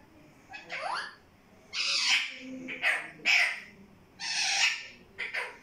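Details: Parrot, a talking bird said to say "mittu mittu", giving five harsh, raspy, voice-like bursts of uneven length over about five seconds, with one rising squeaky note near the start and faint background hiss.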